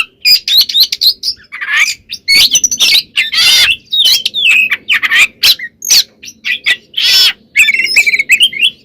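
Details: White-rumped shama in full-isian gacor song used to provoke other shamas into singing: dense, rapid phrases mixing whistles, chirps and harsh broadband rasping bursts, nearly continuous over nine seconds.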